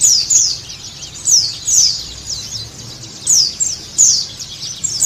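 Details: Song of Sunda white-eye, played to prompt a caged bird to sing: bursts of very high, sharp downslurred chirps, several per burst, recurring about every second, with quiet low-frequency background noise.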